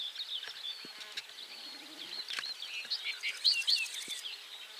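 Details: A Barred Warbler at 51.900594, 20.298992 gives a quiet, scratchy chatter of rapid, jumbled high notes run together, with a few dry ticks in the background.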